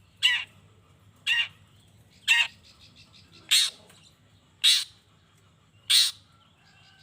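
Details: Long-tailed shrike lure: a steady run of seven rasping, scratchy notes about one second apart, loud and broad, over faint low background noise.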